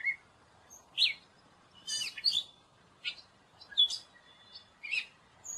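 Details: Gray catbird singing a jumbled series of short, varied squeaky and chattering phrases, high and scratchy, separated by brief pauses of about half a second to a second, with a quiet background.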